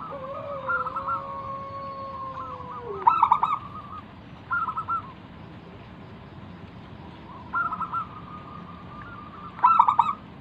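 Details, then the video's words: Local wild zebra dove singing as a calling lure for other doves: short, sharp trilled bursts spaced several seconds apart, with a long sustained lower tone near the start and soft background hiss. "burung perkutut lokal Gacor manggung - pancingan pikat paling Ampuh mengundang bunyi"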